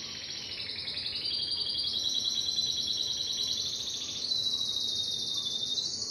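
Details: Song of a Timbrado canary: a continuous, fast, rattling roll that rises gently, then settles into a steady, high metallic trill for the last two seconds.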